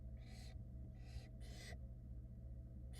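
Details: Barn owl young at a Florida nest cam, 2022, reacting to their wet mother: four quick, harsh breathy hisses packed into three seconds, with a steady low hum throughout.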